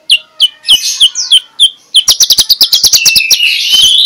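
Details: Morning magpie-robin song in 'ngeplong' style, played to lure lazy magpie-robins into singing: several separate high whistled slurs, then a fast run of crisp repeated clicking notes blending into a steady sweet whistle.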